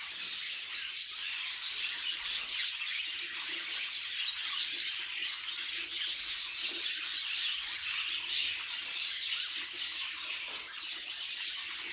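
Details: Continuous high, buzzy warbling from pet budgerigars, a steady wall of overlapping chirps and clicks with rapid sharp notes throughout and no clear breaks.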